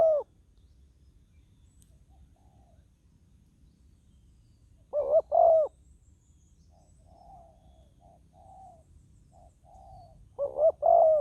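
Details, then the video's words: Spotted dove decoy on the ground, luring wild doves. Sparse cooing: a clipped note, then a full phrase of two short coos and a long mellow one, faint softer coos in between, and another phrase at the end. "ต่อนกเขาใหญ่ต่อดิน ติดแล้วยังสู้"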